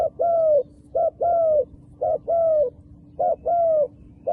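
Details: Wild dove repeating a two-part coo, a short hoot followed at once by a longer descending note, four times in steady rhythm about once a second, with a low steady hum behind.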